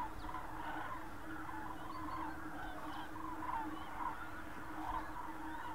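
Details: Common crane flock near Berlin, Germany, recorded 24 October 2015. Continuous overlapping trumpeting and rolling calls from many birds, with a steady low-pitched rumble underneath.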